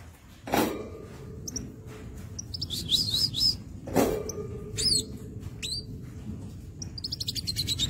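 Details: Crimson sunbird singing actively: a quick high wavering twitter and sharp chips, with two loud knocks and a fast high trill near the end, over low background noise.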